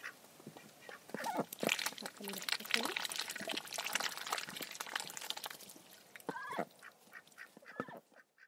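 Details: Domestic ducks eating a dish of vegetables topped with mealworms, heard as wet dabbling and splashing with soft, nasal quacks scattered throughout and a clearer drawn-out honking call late on.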